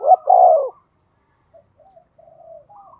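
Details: Decoy spotted dove, 'giọng thổ' voice, calling to stir wild doves. A single loud phrase of short rising notes and a falling coo opens, followed by faint soft trailing sounds.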